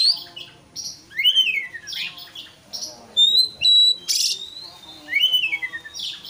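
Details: White-rumped shama (kacer) singing to provoke a rival: long level whistles, swooping slurred phrases and grating rasps, delivered in rapid bouts.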